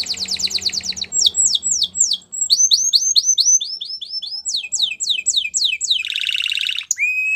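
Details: Belgian canary training song: a buzzy trill, then many varied slurred notes in quick succession, a dense harsh rolling burst, and a final rising whistle, with low background hum early on.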